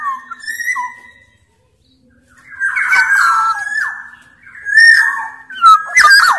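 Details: Sumbawa Black-naped Oriole singing as a tutor for orioles: short whistled notes, then rich sustained fluting phrases with burry overtones, ending in louder abrupt twisting whistles.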